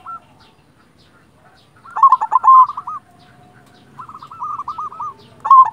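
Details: Singing local silver zebra dove, used to rouse lazy or stressed doves: after near silence, a strong rolling coo leads into a string of soft hooked notes, then another series and a final loud burst.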